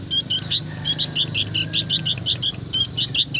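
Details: Young sooty-headed bulbul singing actively: a steady run of short, bright chirped notes, about two to three per second, each with a clear whistled tone, over faint low background hum.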